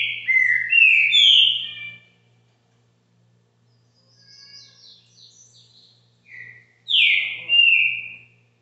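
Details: A Green-winged Saltator sings loud, rich whistled phrases sweeping down from high to mid pitch. There are two bursts separated by softer twittering, with a faint steady hum beneath.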